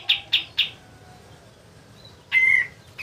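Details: A lively "kapas tembak" white-eye, a song suited for training other birds, gives three quick high chirps in half a second, then after a pause a longer bright note held level, against a quiet background.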